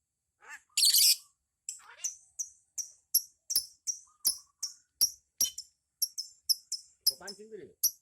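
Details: Lovebird in ngekek style, a long chattering song kept in a pair: a run of short, sharp high chirps repeated about every third of a second, with a louder burst near the start and low voices in the background.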